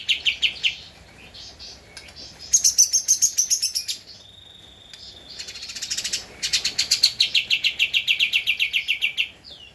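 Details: Javan white-eye song recorded as a master for training cage birds: several bursts of fast, high, repeated notes, each trill lasting one to two seconds, separated by brief softer chirps and a thin whistle.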